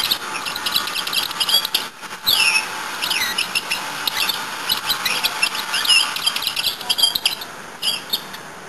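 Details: Goldfinch-canary hybrid singing a fast, high twittering song of chirps, trills and upswept whistled notes, with brief pauses and steady background hiss.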